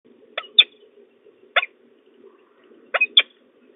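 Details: Peregrine falcon at De Mortel, Netherlands, 31 March 2024 in the afternoon, male arriving with prey, young falcon chittering at the end: short harsh rasping notes in three bursts, single then paired, over a steady low hum.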